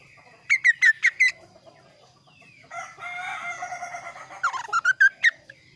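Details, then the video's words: Kaso kaso bird singing a varied, clear song: two bursts of four to five sharp, harsh notes that bend downward, with a chattering, buzzy stretch between them. "suara variasi burung kaso kaso gacor"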